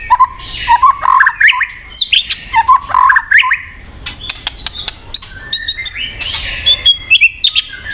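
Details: White-rumped shama (murai batu) song used to prompt a silent bird: low whistled warbles and rising notes, then a stretch of sharp ticking clicks and high thin whistles.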